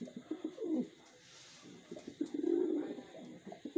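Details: Wild pigeons kept for rearing, giving low, throaty cooing in short rolling bursts, one long bubbling coo near the end, with faint background hiss.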